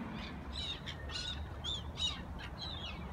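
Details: Black-tailed gulls at the Sunaoshi River in front of JR Tagajo Station, Tagajo, Miyagi, Japan; a rapid series of harsh, nasal mewing calls from several birds, overlapping, with a low rumble of traffic beneath.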